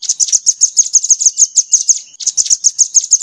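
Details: Crimson sunbird, rambatan-style tutor song for training cage birds: brisk, regular high-pitched chirps about three per second, with one short pause in the middle.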